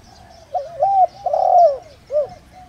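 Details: Spotted dove used as a decoy, calling in the 'đồng rặc' voice style to attract wild doves. One full phrase: a soft lead-in, a wavering coo, a longer rising-falling coo, then a brief clipped closing note.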